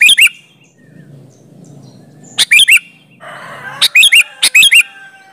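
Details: Sooty-headed bulbul singing briskly as a lure for other bulbuls to answer: clusters of two or three liquid, upward-slurred notes, the last phrases coming in quick succession, with some low background noise.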